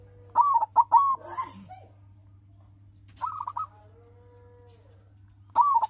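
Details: Captive-bred silver zebra dove singing to stir rivals into song: rolling cooed phrases repeated every couple of seconds, with a brief rustling noise and a faint drawn-out tone between them, over a low hum.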